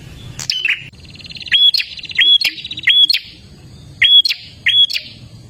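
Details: Olive-backed tailorbird in energetic gacor dor song, used to get caged birds singing: sharp snapping notes mixed with a buzzy rattling trill, then two spaced whistled bursts.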